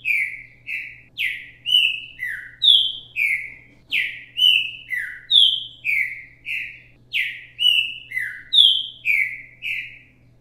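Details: Green-winged saltator (Saltator similis), a 'repetidor mateiro' singer recorded live for teaching young birds, sings a rich, repeated phrase of loud whistled and slurred notes, steady and continuous, over a faint low hum.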